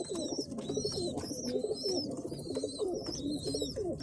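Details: Pigeon; begging calls; chicks begging to be fed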